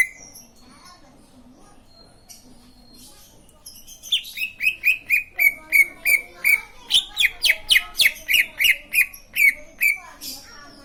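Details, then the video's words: After faint scattered notes, a green leafbird launches into a fast, steady stream of whistled and chipping notes, more than three per second, lasting several seconds. "Burung cucak ijo lain pasti ikut bunyi"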